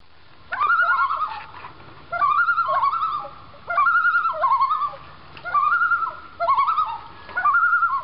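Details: Two Common Loons on a backyard lake in Maine, close by and calling back and forth as they pass. They give six loud, wavering, laughing bursts about a second long at a steady pace, each clear and ringing with a quavering edge.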